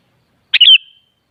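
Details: Sooty-headed bulbul phrase used to coax a kutilang into replying: a brief burst, then a liquid bubbling slur ending in a drawn-out thin whistle, heard alone in clean silence.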